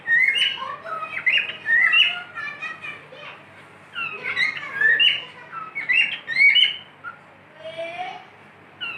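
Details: A pet cockatiel pours out clear whistled phrases with upward and downward slides, pausing between bursts and ending on a soft drawn note.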